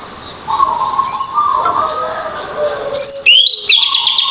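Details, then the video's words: Orange-headed thrush singing in open, full style, used as a lure to trigger birds that have stopped singing; bright twisting high phrases in short bursts over steady lower whistled tones and a constant high background hum. "anis merah ngeplong buat pancingan burung macet"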